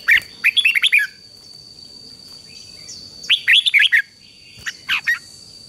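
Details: Song of a red-whiskered bulbul for training a wild-caught bird to sing: rapid strings of bright, bouncing whistled notes in two main phrases, then a brief trailing pair of notes, against a steady high whine.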